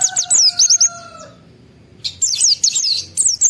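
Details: Excited white-eye singing to provoke other white-eyes into song: bursts of high, thin whistled notes sliding up and down, with steady tonal hums in the background and a pause midway.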